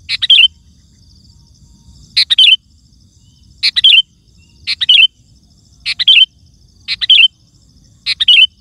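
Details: Loud sooty-headed bulbul song used as a lure and tutor for caged birds: seven bubbly phrases, each a burst of chirps ending in a twisting whistle, about every one and a quarter seconds.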